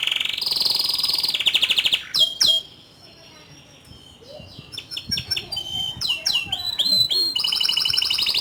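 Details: Canary song with loud rapid trills, a brief pause, then quick chirps and swept whistles building back into a sustained buzzing roll.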